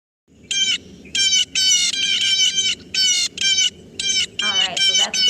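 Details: A blue jay gives its most common call, loud, harsh, noisy "jeer" screams. About nine short blasts come in five seconds over a faint low hum.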